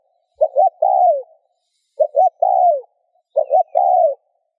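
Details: Spotted dove repeating its coo three times at steady intervals of about one and a half seconds, each phrase two brief notes and a longer falling note, in silence; meant to stimulate other doves to coo.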